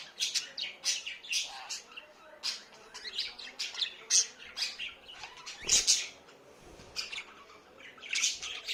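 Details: Indoor budgerigars kept as pets chatter continuously, with rapid scratchy high chirps and squawks coming in dense bursts, and brief lulls of softer warbling.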